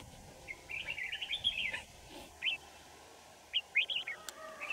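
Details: Red-whiskered Bulbul in Kim Bôi, Hòa Bình, during wild-bird trapping on a cold morning, 3 January 2018: a long chattering warble of quick whistled notes, a lone chirp, then a tight cluster of bright notes and a sharp click.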